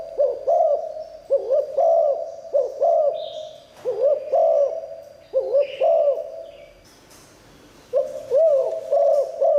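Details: Spotted dove in liu tan style, kept to attract wild doves: repeated phrases of deep hooked coos, each rising then dropping, a noisy break near the end before cooing returns; faint high whine throughout.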